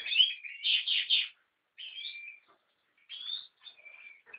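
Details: American goldfinch singing: bright, twittering phrases of quick chirps and short buzzy, level notes, delivered in bursts with brief pauses between them, in a quiet setting.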